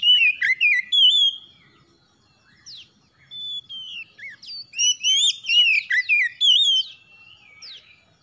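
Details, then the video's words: Oriental magpie-robin song offered as quick therapy to get mute, stressed or lazy birds singing: loud, varied whistled phrases of slurred rising and falling notes and sharp chips, delivered in bursts with a brief pause near two seconds. "TERAPI CEPAT MENGATASI KACER BISU STRES MALAS MACET BUNYI CEPAT GACOR"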